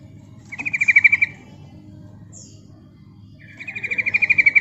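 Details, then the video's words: Calling female yellow-vented bulbul, a sound used for luring wild birds: a quick chattering trill, a pause with a brief high note, then a second trill of even, fast pulses over low background hum. "Suara Panggilan Trucukan Betina Gacor Mancing Nyaut"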